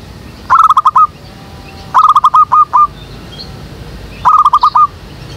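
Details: Zebra dove cooing used to lure and trap doves in a jackfruit tree behind a home. Three separate phrases of quick, clipped, even notes, the middle one longer, with quiet bird chirps in the gaps.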